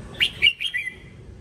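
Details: Red-whiskered bulbul training song: four bright, clear, whistled notes in quick succession, the last one trailing off downward.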